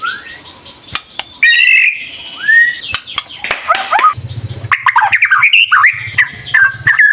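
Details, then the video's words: White-rumped shama in full, active song used as a lure for other birds. Varied whistles and clicks build into a dense, jumbled warbling run, with a low buzzing hum underneath in the second half. "Pancingan Murai Batu Gacor"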